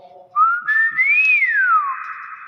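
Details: A Nias hill myna, heard in its natural voice, gives one loud, pure whistle lasting about a second and a half, sliding up in pitch and then gliding back down.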